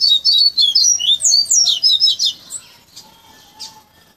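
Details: Flauteado song of a cage-kept Bahia coleiro, taught by tutoring since chickhood and once carrying viviti and tuí tuí phrases: a fast, dense run of high fluting whistles swooping down and up, fading into soft chips.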